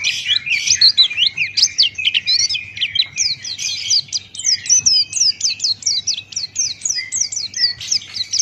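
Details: Buxtoni white-eye, a singing Pleci male, delivers dense, high-pitched warbled twitters. Quick downslurred notes follow one another in close, bouncy sequence for several seconds against a quiet background.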